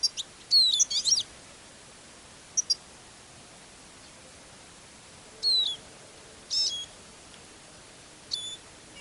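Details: Eurasian siskin, a caged decoy used for trapping songbirds on a very foggy winter day with northerly wind, gives thin, high, slurred notes in scattered bursts, some sliding downward, every second or two over quiet steady hiss.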